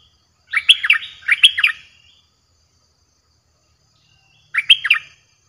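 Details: Streak-eared bulbul song played as a lure for aggressive wild birds: two linked, bubbly three-note phrases, silence, then one more similar phrase; a faint low hum runs underneath.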